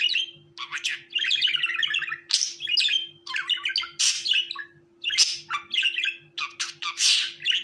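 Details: Budgerigar warbling steadily indoors: a busy stream of chattering, buzzy and squeaky notes with quick trills and harsh chirps, almost without pause, over a steady low mechanical hum.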